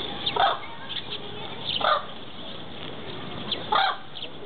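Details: White-naped crane at Ueno Zoo crying, giving three short, harsh trumpeting calls about two seconds apart over a low murmur of background noise.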